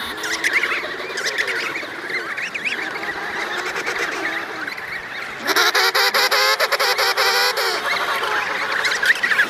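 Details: Pair of adult emperor penguins with their chick by the Davis Sea give warbling, harmonic trumpeting calls with overlapping voices; a louder, brassy call bursts in about halfway and carries on for several seconds.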